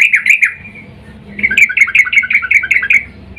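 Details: Female yellow-vented bulbul calling a male while in breeding condition, used to lure: a few quick bubbly notes, a short pause, then a longer, even run of rapid chattering notes.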